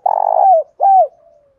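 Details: Spotted dove cooing in the thổ pha and hạp bổi voice styles, a call meant to draw rival doves in to fight: a rolling, trembling coo sliding down, then one smooth arched coo and a fading tail.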